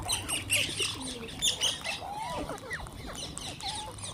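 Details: Wild green parrots being fed, giving a busy mix of high chirps, short squawks and rising whistled notes at an irregular rate, several birds calling over one another.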